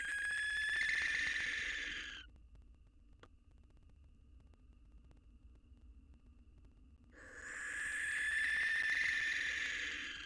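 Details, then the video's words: Barn owls at a nest box, where a male courts a new mate three days after his partner's death, with his fledgling present. Two harsh, drawn-out screeches are separated by five quiet seconds. "Male Barn Owl Moves On Quickly: Courting a New Mate Next to Its Kid, 3 Days After His Wife's Death"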